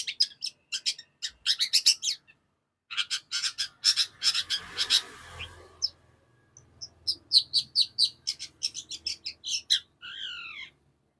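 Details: Caged long-tailed shrike from Indonesia in fast, tightly packed song, bursts of sharp high chips and scratchy notes with short pauses between runs, ending in a slurred descending phrase.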